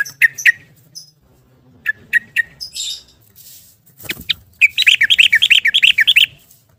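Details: Yellow-vented bulbul singing in rapid "ropel" style, used to lure silent caged bulbuls into song; scattered sharp chirps give way to a fast bubbling run of looping notes, about fifteen in quick succession.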